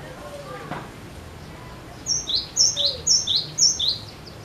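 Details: Cinereous tit in full, insistent song, used to prompt other birds to sing. After a quiet opening with faint background sounds, it gives four rapid high whistled double notes, each bright upper note dropping to a lower one, about twice a second.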